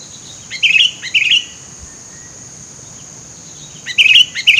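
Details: Sooty-headed bulbul in the middle of scrubland, recorded for luring birds: two quick bubbly chirping phrases, a gap of over two seconds, then two more, with a constant thin high drone behind.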